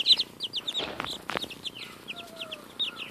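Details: Baby chickens about two weeks old share a strawberry, their bright clipped cheeps coming in an uneven string, some sharply falling, mixed with louder tapping and scratching sounds as they feed.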